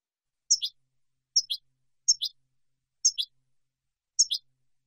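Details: European goldfinch recorded for training juveniles and for competition, clean song: paired chirping notes, a high note then a lower one, repeated roughly once a second, with a clean, quiet background.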